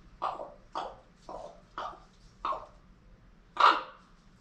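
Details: Indoor pet common raven, female, squawking close to her keeper. Five short, rasping croaks spaced about half a second apart, then a louder, longer harsh squawk.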